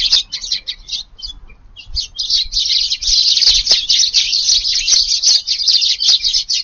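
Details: Garden sparrows at an evening feeding on 18 July, wind strengthening; dense chorus of harsh, overlapping chirps, sparse at first then nearly continuous after two seconds, light background rumble.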